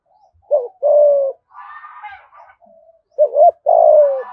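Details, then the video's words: Spotted dove in Đồng Nai, Vietnam, cooing 'thúc gù' style with 'giọng thổ' voice. Two deep phrases, a short hiccup note then a sustained coo that drifts downward, separated by a softer, buzzier murmur. "Chim cu gáy thúc gù giọng thổ bài bản nhất Đồng Nai"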